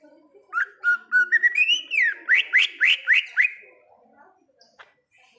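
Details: In the wild, a greater green leafbird sings steady whistled notes climbing in pitch, then a rapid train of bright upslurred notes, before falling quiet.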